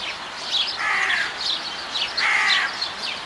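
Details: Captive Himalayan monal at Zoo Leipzig in Germany gives two rasping, grating calls about a second and a half apart, with busy high twittering of other small birds throughout.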